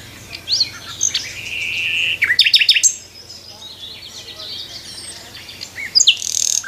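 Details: A nightingale sings its morning song from a tree, a varied, high phrase: a buzzy trill, then a burst of loud, rapid repeated notes and scattered whistles, with faint chirps behind.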